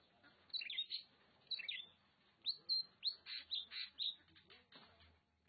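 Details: Kacer, the Oriental magpie-robin, recorded in Nagan Raya, Aceh, sings varied whistled phrases, some sliding down, others rising, delivered in an uneven string of clear notes over a faint low hum.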